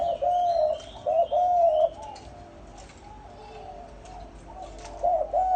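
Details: Male and female spotted doves in a recording made to lure wild doves: a few drawn-out mellow coos at the start and end, with a quieter hissing stretch between and faint chirps of other birds above.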